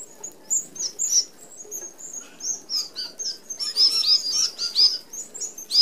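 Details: Red-browed finches feeding as a flock at an open aviary feeder in Australia: sparse thin high whistles at first, building into busy overlapping squeaky chirps from several birds.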